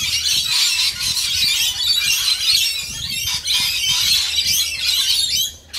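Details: A group of rainbow lorikeets at feeding time fills the air with a steady wall of shrill, rasping screeches, fading briefly near the end.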